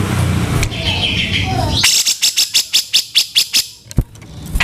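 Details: Harsh, fast 'kasaran' master of a grey-cheeked bulbul for training songbirds: around eleven rasping notes repeated quickly over two seconds, followed by a sharp click, with background noise before the burst.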